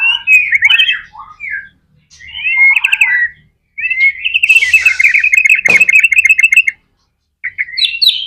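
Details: White-rumped shama song meant to make other shamas sing quickly: short warbled phrases separated by pauses, then a long rapid trill of repeated notes, with a sharp click in the middle.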